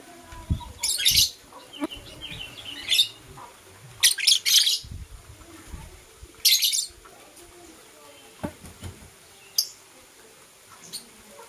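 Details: Morning activity of Blue Opaline and Parblue Euwing Opaline lovebirds: repeated short bursts of shrill, raspy chirping every second or two, with quieter squeaks and thumps between.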